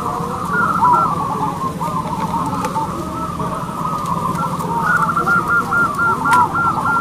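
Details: Zebra doves of a local strain singing at a contest, with many birds cooing together in quick, bubbly runs of short notes, louder toward the end, over constant low rumble.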